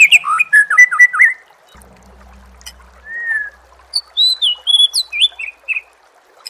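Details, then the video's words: Training song of a white-rumped shama for contest birds. An opening phrase of tumbling fluty whistles, a pause with a low hum, one drawn-out whistle, then a run of high, bright, clipped notes. "Suara Masteran Murai Batu Gacor"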